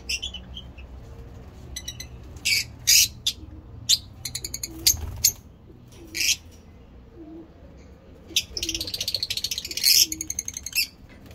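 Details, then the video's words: Captive lovebirds of several mutations, kept for breeding, calling indoors: harsh high chirps and rapid stuttering trills in bursts, some long screechy notes, with a low room hum beneath. "Lovebirds singing lovebird talking"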